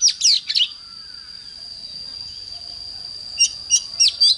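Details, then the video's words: Oriental magpie-robin morning song: a few short, sharp whistled notes at the start, a quiet pause, then four brief bright chirps, all over a steady high whine. "Chích choè than hót sáng"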